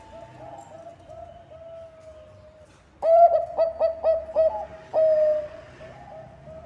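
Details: Song of a Bangkok-type perkutut, or zebra dove, used as a lure for other songbirds: a quiet level trill, then a loud rapid string of stuttering coos ending in a drawn-out falling coo.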